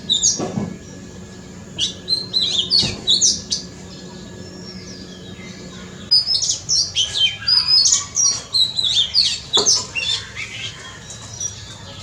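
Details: Front-yard Oriental magpie-robin song: scattered high whistled notes at first, then from midway a denser run of varied, rapid warbles and chirps, with a low hum and faint background noise.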